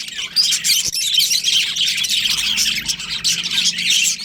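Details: Budgerigars of a colony that includes a breeding pair chirp and warble in high, scratchy bursts that swell and fade, while a faint low hum runs beneath.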